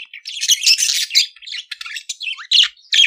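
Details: Budgerigar warbling, meant to help teach budgies to sing: nearly continuous rapid chatter of buzzy, scratchy notes and clicks, ending with a few separate sharp chirps.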